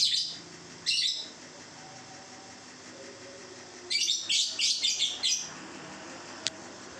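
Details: Two-month-old lovebird giving its long ngekek trill: sharp high chattering bursts, two brief ones near the start, then a rapid run of about six harsh shrill notes after a pause, with a faint low background hum.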